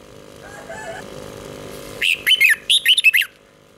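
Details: Red-whiskered bulbul song meant for young birds to learn from: after a low hum, one quick burst of about six warbled, slurred whistles over roughly a second.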